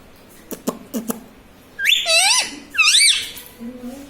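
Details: A few soft taps, then two loud, wavering, nasal syllables, the first dipping low, from a talking pet rose-ringed parakeet said to be saying "mummy".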